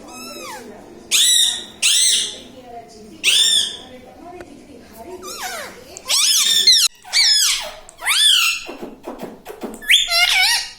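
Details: A pet parrot talks indoors in a string of shrill, squeaky, word-like bursts, some sweeping downward, separated by short quiet gaps, with faint low background voices.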